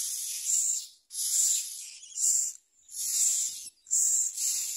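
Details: Baby myna fed a big blue caterpillar by an adult; loud scratchy hissing bursts, roughly one per second, each rough and noisy with a slightly brighter core.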